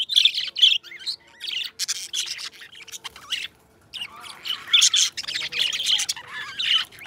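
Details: Two companion pet budgies chattering: dense, rasping warbles and short squawks, broken by a pause of about a second midway before the lively chatter resumes.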